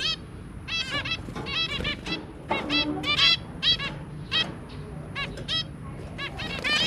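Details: Zebra finch family of two adults and three babies, recorded 23 January 2022, giving dense bursts of nasal, honking calls with stacked bright overtones, several birds overlapping in quick succession over low background rumble.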